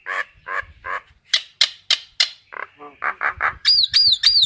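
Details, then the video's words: Common myna calling the flock, giving a varied string of harsh, throaty notes, sharp high clicks and short buzzy calls, then ending with three looping whistled phrases. "Tiếng sáo nâu gọi bầy"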